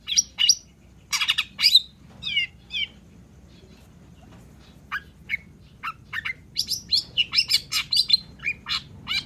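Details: Long-tailed shrike singing lively and nonstop: clusters of sharp, buzzy chatter and short downslurred squeaks, a quieter pause midway, then a fast run of clipped high notes repeated about twice a second.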